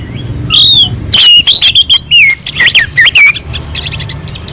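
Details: Orange-headed thrush song from a mountain slope, used to provoke other birds into song: an opening falling whistle, then a rapid run of bright swooping and slurred notes, loud and varied, over a quiet low background.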